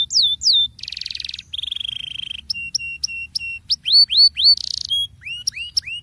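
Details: Canary rolling song used as a lure for other canaries: varied tours of falling notes, buzzy trills, flat whistles repeated with bright high clicks, and a run of upslurred notes.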